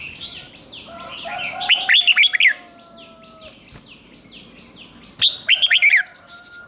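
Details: Red-whiskered bulbul singing a doubled phrase to be copied by young birds: two bursts of quick, bright whistled notes, with a rhythmic run of thin high chirps from another bird in between.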